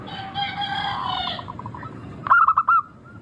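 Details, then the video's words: Local zebra dove song used as a lure to get birds singing. A harsh, harmonic-rich call with stuttering notes opens, then one bright burst of quick staccato coos ending in a short rolling trill. "Pancingan burung perkutut lokal Suara merdu kristal"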